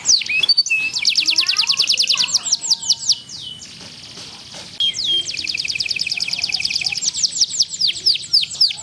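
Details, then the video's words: Small contest canary delivering loud, rapid trilled song with its typical cengkok phrasing: dense buzzy rolls of high notes, a brief softer pause in the middle, then another long fast trill. "Kenari gacor cengkok ngawet"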